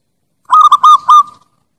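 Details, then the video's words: Zebra dove, Bangkok and Javanese type, in a lure call: a single phrase of four steady, loud coos, two short, then a longer one and a trailing note, clear and isolated. "PIKAT SUARA PERKUTUT BANGKOK JAWA"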